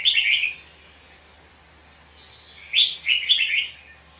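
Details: Red-whiskered bulbul giving a combative duel song at a trap. One brief bubbling whistled phrase, a pause of about two seconds, then a second quick run of bright rising and falling notes.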